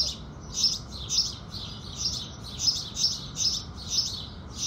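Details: House sparrow singing at sunrise: bright, dry chirps repeated steadily about every half second, nine in a row, over a soft low background hum.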